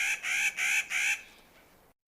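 Clark's Nutcracker giving four harsh, grating, nasal calls in quick succession, like a rasping laugh, over about a second, then fading to quiet.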